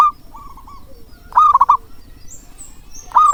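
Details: A zebra dove gives soft, rolling, staccato cooing bursts of four or five quick notes, repeated every one to two seconds, with faint higher chirps in the background; the recording is used as a call to stir reluctant doves into singing.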